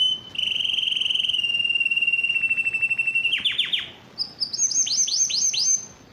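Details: A yellow canary sings a long, bright, rapid trill that slows into separate pulses, then buzzy rolling notes and a run of high, quick sweeping chips.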